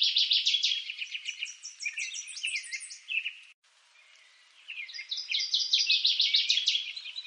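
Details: Northern waterthrush song: two bursts of rapid, loud, sharp chipping notes, each a quick run of high repeated phrases that speeds up and drops lower toward the end, with a short silent gap between the two songs.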